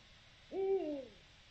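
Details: Single low hoot from a Eurasian eagle-owl, Territorio Lince recording dated 7 October 2020; the note jumps up quickly, sustains, then falls away smoothly over roughly two-thirds of a second against quiet background noise.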